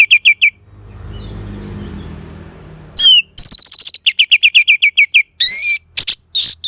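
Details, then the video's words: Orange-headed thrush song in varied bursts: triplets of short high whistles, then faster trills of clipped chirps. Later come buzzy rising notes and harsh scratchy sounds, with a stretch of low rumbling noise in between. "Suara ANIS MERAH"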